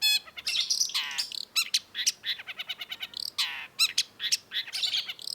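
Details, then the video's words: Long-tailed shrike (cendet) singing as a tutor recording: dense jumbled chatter mixing harsh nasal notes, buzzy phrases and quick high chirps with hardly a pause. "cendet gacor MASTERAN CENDET"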